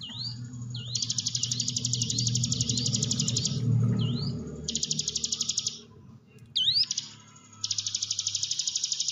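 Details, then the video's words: Hill prinia singing, recorded as a lure for training a quiet caged bird: long bursts of a high, rapid buzzy trill alternate with single rising whistled notes, over a low rumbling background. "ciblek gunung diam saja kurang loss mental ciut latih dengan pancingan ini"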